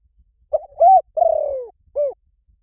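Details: One cooing phrase from a spotted dove, used as a decoy lure: a short coo, a swelling level coo, a long pulsing coo that sinks gradually, then a crisp single closing coo over faint low rumble.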